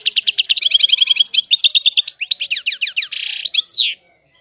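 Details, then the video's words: Unbroken goldfinch phrase of fast, rhythmic twittering notes with shifting pitch. It ends in a brief buzzy burst and a rising slurred note, then silence. "طائر الحسون. اجمل الطيور المغردة Goldfinch. The most beautiful songbirds"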